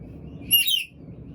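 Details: A black-capped lory, hungry, lets out one short, harsh, rasping screech that rises and falls quickly, set against a quiet background hum.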